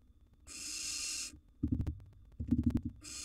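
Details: Wild barn owl nestlings competing with each other for food inside a nest box: a long rasping hiss, then bursts of clattering, scuffling knocks, and another hiss beginning at the end.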